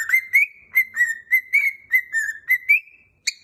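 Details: Cockatiel taught Jingle Bells whistles a steady run of about ten reedy, even-pitched notes in tune-like rhythm, ending on a held tone, then one sharp chirp after a short pause.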